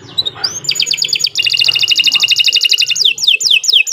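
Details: Canary giving long, energetic song for tutoring other birds: rising whistles, a rapid high trill of sweeping notes, a dense chattering run, then slower falling whistled sweeps.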